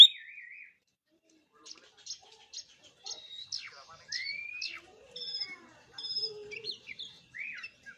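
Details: Oriental magpie-robin (kacer) giving a quieter, varied song of trilled whistles, buzzy bursts and rising slurs, broken by gaps.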